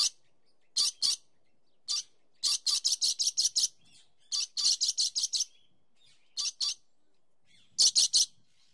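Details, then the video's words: A dusky lory gives harsh, high, rasping screeches, singly or in quick runs of up to six, separated by short pauses. "Sound Effects Animals and Birds 41 Dusky Lory"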